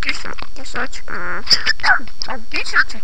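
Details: Pet parrot talking in Armenian, producing a rapid run of speech-like syllables with voiced, vowel-like stretches and a few bright tonal notes, continuous for about three seconds with no other clear sounds.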